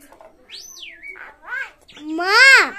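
A common myna imitates human talk: a high whistled sweep rising and falling, then a few voice-like syllables ending in a loud, drawn-out vowel.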